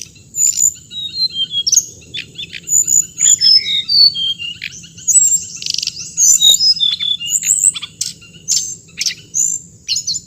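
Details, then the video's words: Extended hồng hạnh bird song: a continuous stream of varied high whistles, quick chirps, slurred and buzzy notes in rapid phrases, against a constant high whine and low rumble. "suab noog txiv leev lau2 tiếng chim hồng hạnh"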